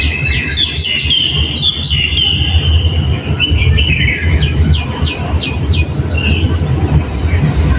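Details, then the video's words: Small birds in the countryside: a bright burst of high chirps, then a run of five quick descending whistled notes about half a second apart, over a steady low rumble like an engine. "Small Birds Sounds in Countryside"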